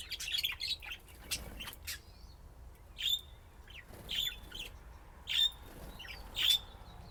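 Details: Budgerigars playing and chirping: bright, short whistled chirps with a scratchy edge, coming about once a second between quieter chatter.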